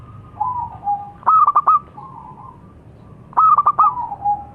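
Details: Perkutut lokal, a local zebra dove, cooing twice: a soft descending coo, then a burst of four sharp stuttered notes followed by a fading purring tail, against faint low-frequency noise.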